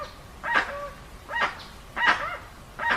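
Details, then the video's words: Four slower, drawn-out honks from a dusky-legged guan, each harsh burst trailing into a short falling tonal note, in a clean recording with no added effects. "Som limpo do canto🎵 do Jacuguaçu"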